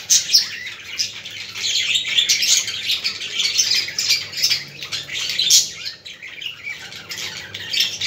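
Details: Budgerigars, played to stimulate other budgies: dense, continuous high chattering warble of squeaks, chirps and rapid twitters that keeps going throughout with no pauses.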